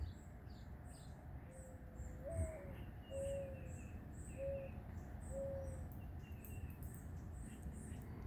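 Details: A dove near a fig tree gives soft, low hooting coos, four short notes about a second apart, over steady low rumbling background noise and faint high chirps.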